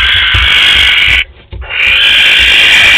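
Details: At a nest box in Théding, 12 May 2020, one of a visiting barn owl pair gives two drawn-out breathy hisses separated by a short pause.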